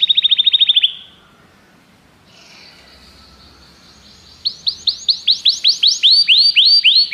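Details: A canary delivers a quick high trill, falls quiet apart from a faint buzz, then bursts into loud arched whistled notes repeated about three times per second.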